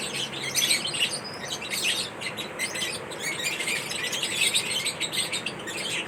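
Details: Lovebirds in a mating ritual, energetic high-pitched chirping and twittering from several birds, some rising squeaky notes, overlapping without pause over light background hiss.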